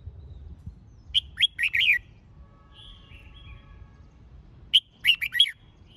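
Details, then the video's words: Competition-training song of a red-whiskered bulbul, played to stimulate birds: quick clusters of lilting, warbled whistles, a phrase after one second and another near five seconds, with a faint low hum. "Tiếng Chào Mào Dìu Bổi Lên Lửa !..Luyện Chào Mào Hót Đấu"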